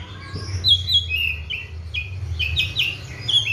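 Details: Kept Oriental magpie-robin (kacer), given seven crickets and morning and afternoon baths, singing hard: a steady string of clear, flat or slightly falling whistled notes, some doubled, with faint high chips and low background hum.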